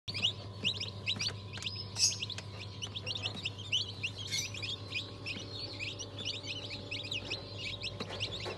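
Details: Newly hatched chicks of several breeds (Ayam Cemani, Sultan, Cochin, Habesh, İspenç, Wyandotte), 22 January 2023: a dense chorus of high, shrill peeps, many overlapping and repeated rapidly, over a steady low machine hum.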